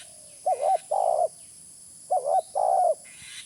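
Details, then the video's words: Spotted dove used as a lure sound, giving two coo phrases. Each starts with a quick wavering double note and ends in a longer, level, mellow coo. A faint high hiss is present. "Suara pikat terkukur original"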